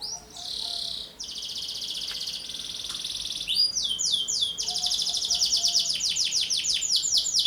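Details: Canary chick-age singer in lively song, meant as a lure and tutor for other birds: steady buzzy trills at first, then a quick run of repeated downslurred whistles that grows louder.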